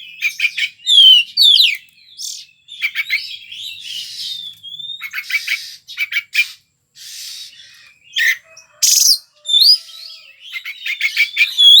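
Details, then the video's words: Energetic white-rumped shama from Indonesia's songbird hobby scene singing in gacor style for nearly twelve seconds, mixing sweeping whistles, dry buzzy notes, stuttering chip series and sharp harsh bursts with brief pauses between phrases. "Suara Kacer Seperti ini yg Banyak Dicari Kicau Mania Indonesia"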